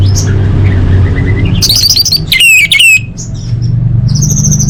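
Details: Orange-headed thrush singing, a lure to prompt caged birds into song. Rising slurred whistles lead into a rapid run of loud, ringing, metallic notes, then a short high phrase, with a steady low hum beneath.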